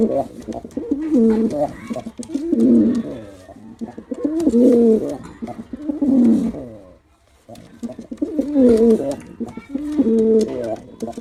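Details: Male pigeon giving a performance of repeated deep coos, rolling, swelling phrases arriving about every one to two seconds, with a brief silent break midway before the cooing resumes.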